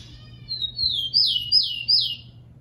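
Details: Rufous-collared sparrow (tico-tico) song, played to train and warm up captive birds to sing: a drawn-out whistled opening near one pitch, then three clear slurred notes, each sweeping sharply downward, in a quiet background.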